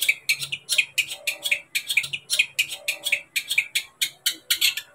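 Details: Long-tailed shrike song played to make a pet shrike agitated and sing: harsh, buzzy broadband notes repeated in rapid irregular bursts, with faint low hum beneath.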